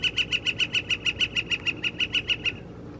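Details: Northern flicker mating call recorded on April 17, 2021: a rapid run of about sixteen bright, ringing wick notes, evenly paced near five per second, then stopping, with low background rumble.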